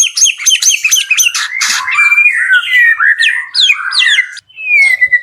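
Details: Captive White-rumped shama on a bird farm singing vigorously: a rapid, loud run of varied whistles, chattering notes and sliding phrases, ending in a long, clear, falling whistle.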